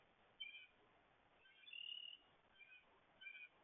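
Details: American goldfinch (Spinus tristis), call.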